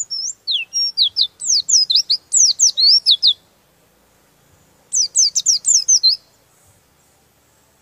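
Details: Rolling song of an oriental white-eye, said to rile rival birds: fast runs of high, sharply falling whistled notes for about three seconds, a silent gap, then a second shorter burst of tumbling notes.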